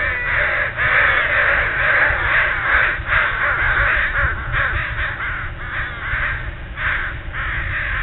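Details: A murder of crows calling at dawn: dense, overlapping harsh caws repeated rapidly and nearly continuously, with a steady low rumble underneath.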